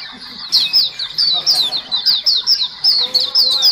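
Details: White-eyes as a lure sound, a group chorus of several birds: rapid high chirps, each sliding down, packed closely and repeated several times a second, with faint lower twittering beneath.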